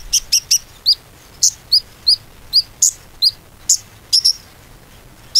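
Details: Konin lure recording meant to make a stalled bird sing again. Bright, high chirps are spaced about every half second, some rising slurs and some short flat notes.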